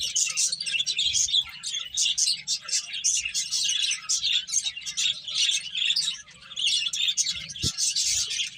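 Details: Finches eating and playing, a flock chirping busily with dense overlapping high, sharp tweets in quick bursts and short pauses, plus one brief low knock near the end.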